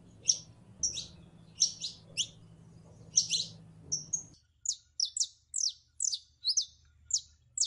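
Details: Female canary in heat, calling for a male to mate with it, gives bright, high, clipped chirps, some doubled, repeated steadily about twice a second throughout, with a faint low hum early on.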